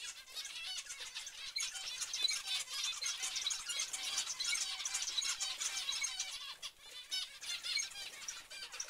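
A flock of zebra finches chatters nonstop with short, nasal, toy-trumpet beeps overlapping in a busy stream.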